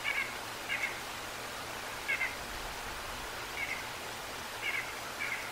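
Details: Bald eagles at the Decorah North nest on a live nature cam, 11/2/22 at 19:17: short, high, squeaky chirping notes in brief clusters, repeated about every second or so over steady faint background hiss.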